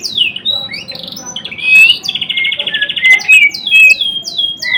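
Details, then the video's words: White-rumped shama, a Murai Blorok type, in energetic full song: varied loud whistles, sweeping downward slurs and a fast buzzy trill, phrases tumbling into one another with high sharp notes. "Kicauan MURAI BATU GACOR (Murai Blorok gacor)"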